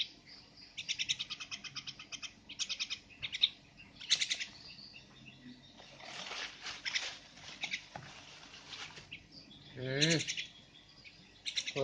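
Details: Javan myna chattering in buzzy, rattling bursts and scratchy single notes, with rustling and what sounds like wing flutter mid-way, plus a brief rising-falling squeal near the end.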